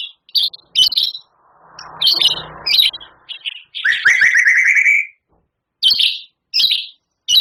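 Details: Champion White-rumped shama in lively song. Clipped, rasping bursts are spaced by silences, then a fast trilled run of rising slurred notes, followed by further isolated harsh chips. A faint rustle sounds early on.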